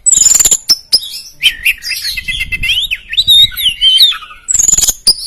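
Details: Oriental magpie-robin of the poci type, a competition bird picked by judges, singing loud and fluent to provoke rivals: sharp high whistles and clicks, then a rapid zigzagging warbled phrase, ending in bursts of repeated piercing notes.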